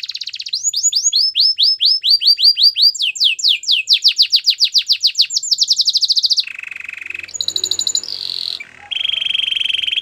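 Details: Belgian canary song made of fast repeated downward-sweeping notes in rolling trills, shifting to a lower buzzy rattle and then steady high whistled tones.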